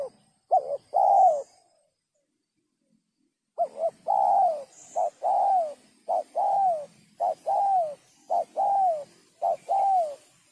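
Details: Spotted dove giving a sấm chuông style coo, used to stimulate males, females and wild birds: short paired hoots followed by a longer drawn, slightly falling coo, in two bursts with a three-second silent gap between them.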